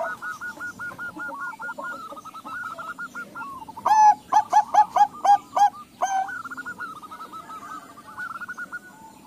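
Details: Crossbred zebra dove of Bangkok and local stock, with every bird answering. Overlapping rolling trills fill the background while a loud run of about eight hooked, pulsing coo notes stands out in the middle.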